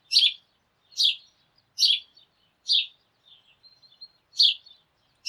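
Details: Sparrows in a morning flock: a run of loud, harsh chirps about one per second, broken by a soft high twittering passage before the chirping resumes.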